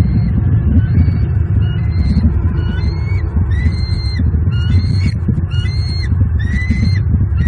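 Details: Pair of wild bald eagles in Southwest Florida at dawn on 29 November 2022, mating on the nest patio, captured by a live nest cam; thin high chirping whistles, each rising then dropping, about ten in sequence over heavy wind rumble.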